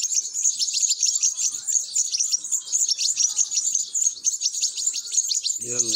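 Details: European goldfinch chicks begging while being fed: a dense, continuous chorus of rapid, thin, high-pitched chirps, with a brief low humming tone at the very end.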